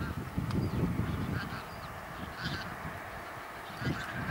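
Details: Bean geese, thousands on a field on Texel, Holland, 22-11-2014; a distant wall of cackling honks with a few clearer higher calls, over a continuous deep rumble.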